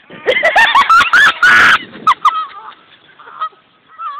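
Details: Canada geese and ducks in Garvin Park, Evansville, Indiana, take flight as a man runs through the flock; loud, rapid, overlapping honks fill the first two seconds, mixed with a woman's laughing scream, then quieter calls and wind.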